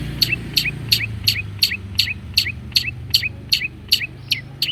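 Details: Long-tailed shrike repeating a short sharp note with a little upward flick, about two and a half per second, over a low steady hum; a lure recording for shrikes.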